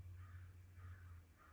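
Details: Crow gives three harsh, hoarse caws about half a second apart, fairly faint over a steady low rumble, in a winter backyard on January 8, 2024, as crows gather around a juvenile Sharp-shinned Hawk harassed by a squirrel.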